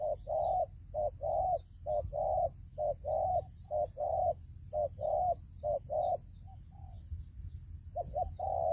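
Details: Decoy spotted dove at a trap, cooing in a long run of steady mid-pitched notes grouped short and long, about one per second, with faint distant chirps of other birds and a low rumble.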